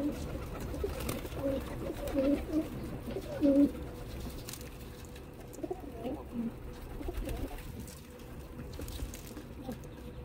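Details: Pigeons being fed in Dubai, United Arab Emirates; low soft cooing notes repeated irregularly in the first four seconds, then faint murmuring and rustling in a quiet background.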